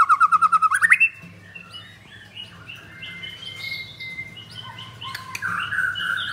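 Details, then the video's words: White-rumped shama singing: a loud, rapid run of about ten pulsed notes for the first second, then a quieter stretch of varied thin whistles and slurred phrases, ending with a stronger whistled note. "Murai Batu Pastol Blorok Extreme Double Ring Apbn Bnr Gacor"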